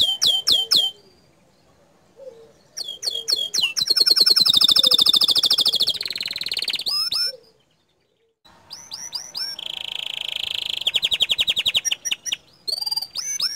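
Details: Bottle-green canary singing its 'tembakan' master song that stirs other canaries; clusters of loud swooping chips, long bright rolling trills, brief silences, and a smooth steady buzzing trill near the end.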